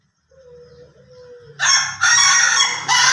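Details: Ayam Ketawa rooster giving a harsh, loud crow in three blocks after a soft low whistle-like tone and faint background murmur.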